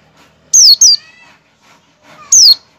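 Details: Oriental white-eye calling to lure other white-eyes to open their beaks and sing; a doubled high falling whistle, a pause, then one more, clean and loud.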